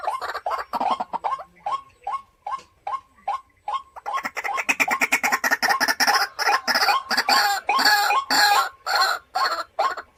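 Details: White-breasted waterhen, a home decoy bird, giving evenly spaced short clucking notes for about four seconds, then breaking into a loud dense run of harsh rapid chattering calls.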